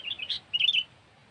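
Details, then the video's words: Sooty-headed bulbul lure recording: a brief burst of liquid, warbling whistled notes lasting under a second, over a soft background hiss. "Suara Burung Kutilang"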